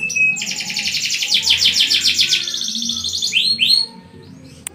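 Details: Canary singing long and constantly, a recording meant to set other canaries singing. A continuous rapid buzzy trill runs for about three seconds, ending in two rising whistled slurs, over a low steady background hum.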